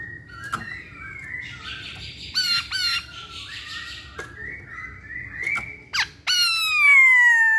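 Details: Chinese hwamei singing soft whistled phrases broken by sharp clicks, then a loud, long, rich whistle gliding down in pitch with ringing overtones.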